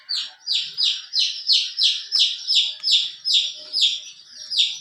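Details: Chicken chick beside its hen, one of a colorful brood: clear high peeps, each sliding downward, repeated evenly about three times a second, with fainter chirps from other chicks behind.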